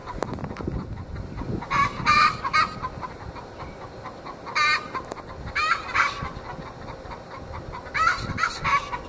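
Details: Twenty-week-old Australorp hens in a backyard, before laying has begun, giving the egg song: grouped harsh squawks in bursts of two or three about every three seconds, with clicking and rustling noise between.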